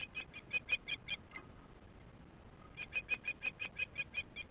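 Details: Osprey driving off the new fledgling in August afternoon: two runs of rapid, piercing whistled chirps, seven and then ten notes, separated by a quiet pause of about one and a half seconds.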